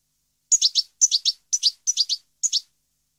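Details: European goldfinch song, 2015: five crisp bursts of two or three high, bright chirps each, spaced about half a second apart, in a quiet setting.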